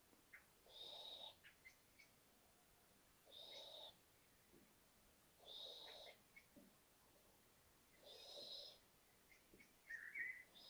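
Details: Five young little owlets, now at the stage of venturing out onto the balcony when feeling brave, give harsh, hissing wheezes, each under a second, repeated about every two to three seconds, with a brief higher squeak near the end.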